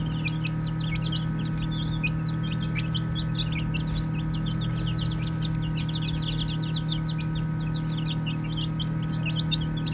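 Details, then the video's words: Young chicks playing give a steady run of crisp high peeps, roughly three per second, evenly spread across the clip, with a constant low hum in the background. "Baby Chicks Chirping Sounds"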